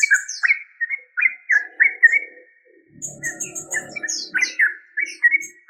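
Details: Yellow-vented bulbul chattering in bubbly slurred notes, interrupted midway by a low rumbling noise, then resuming alongside thin high squeaks.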